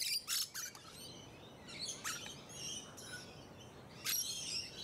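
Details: Near musk lorikeets in Hunters Hill, Sydney, Australia, around late November 2020, give harsh high screeches: two quick bursts at the start, then softer chatter and a final loud shriek.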